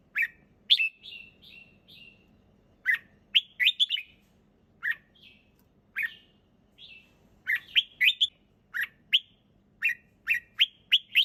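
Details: A red-whiskered bulbul sings easily and clearly, opening with a sharp note and a descending string of fluty whistles, then scattered warbles, ending in a fast run of bright chirps, over a low steady hum.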